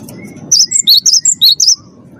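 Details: Cinereous tit, a captive bird, recorded as a lure to prompt other caged birds to sing: a quick burst of about six high, clear whistled notes alternating between two pitches, over a faint low background hum.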